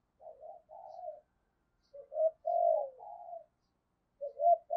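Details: Decoy spotted dove with the Thổ-voice style, giving a calling coo with a two-ending finish: soft, low hooting phrases in two short bursts, quiet and muffled, with a pause between them.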